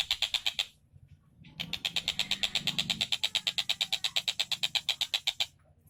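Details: Kingfisher called Tengkek Buto singing actively: short burst of quick high notes, a brief gap, then a long, steady run of fast repeated sharp calls about three to four per second, with low rumbling beneath.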